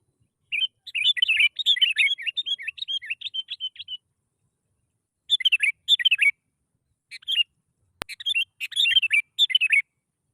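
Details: Sooty-headed bulbul song used as a lure so other bulbuls start singing, a long rapid warbling run of chirps, then shorter bursts separated by pauses, with a sharp click partway through.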